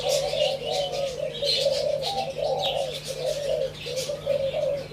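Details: Several spotted doves coo in rolling, slightly quavering low phrases that follow close upon one another. The recording is dated 27/3/2569, with bursts of high chirping and a steady hum in the background.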